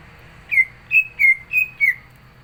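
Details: Cucak ijo (green leafbird) in top form for competition, giving five loud, clear whistles spaced evenly, each held briefly with a slight downward slide.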